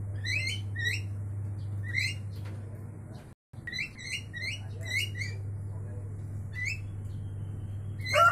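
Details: Javan mynas calling to each other in repeated pairs of harsh, rising chirps, with short pauses between groups, a brief dropout near the middle, and a constant low hum underneath.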